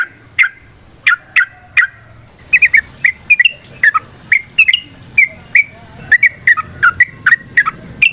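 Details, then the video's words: Sooty-headed bulbul (trucukan) singing in the gacor, ropel, variasi, nrotok and ngecuplik styles, used as a lure to spur other birds to sing: short whistled notes near mid pitch with sharp clicks, uneven spacing, a quiet pause near two seconds. "Suara Burung TRUCUKAN gacor ROPEL VARIASI NROTOK NGECUPLIK pancingan trucukan agar JADI trucuk GACOR"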